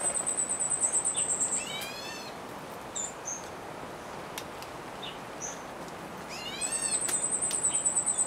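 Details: A black bulbul (Hypsipetes leucocephalus) gives two harsh, nasal, cat-like mewing calls several seconds apart, over a thin, very high buzzing trill and faint chirps from other birds.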